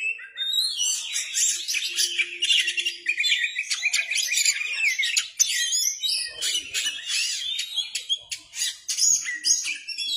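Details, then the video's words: A tail-fanning Oriental magpie-robin (kacer) sings in continuous, lively 'gacor ngeplay' style: long streams of high, rapid warbles, buzzes and sharp chips with no pauses. A low faint hum is in the background. "KICAUAN BURUNG KACER GACOR NGEPLAY BUKA EKOR"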